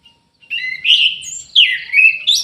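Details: Orange-headed thrush singing persistently: a short high whistled phrase, then buzzy warbling notes sliding down and rising again in two quick bursts, with no other sounds.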